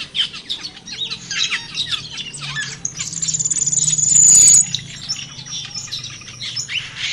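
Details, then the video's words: Cucak keling heard in the wild, scratchy chirps and squawks around four per second, with a loud buzzing high drone swelling in the middle. "Suara Burung Cucak Keling di Alam Liar"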